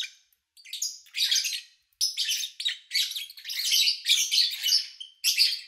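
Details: Captive lovebirds in August 2019, recorded between morning and evening with minimal background noise: shrill, buzzy chirping in overlapping bursts, including a few thin whistled notes, after a short silent start.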